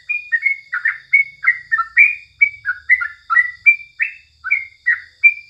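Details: Sooty-headed bulbul singing at morning time, a continuous string of cheerful whistled notes, about three per second, alternating upward and downward slurs over a faint background hum.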